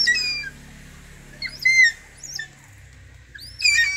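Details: Hawk-eagle being trained, giving high, thin whistled squeals with rising and falling bends, in short bursts separated by quiet gaps, with faint background hum.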